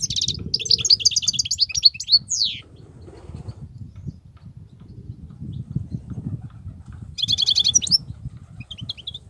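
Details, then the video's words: Wild European goldfinch giving a quick, liquid twittering phrase that ends in a sliding note. This is followed by several seconds of low background rumble, then a short burst of tinkling twitter near the end. "صوت الحسون البرى:مقنين خلوى ممتاز..بتبتات.. غناء لاينقطع"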